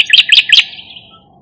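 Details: A striated grassbird beside the Marikina River on 20 March 2022 gives three quick, harsh, rasping notes in half a second, then falls silent against a quiet background.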